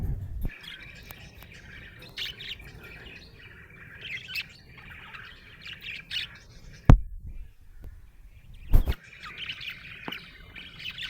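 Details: Budgerigar in a happy mood, chattering with soft warbled chirps and squeaks, broken by two loud clicks or knocks.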